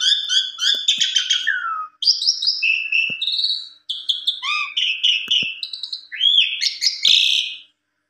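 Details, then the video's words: Asian pied starling, roused by a rival, giving a busy medley of harsh rasps, clear whistles and quick upslurred notes, continuous apart from two short breaks, with faint clicks. "Buktikan Putar 1 Kali Jalak Suren Lawan Langsung Emosi Bongkar Isian Suara Panjang"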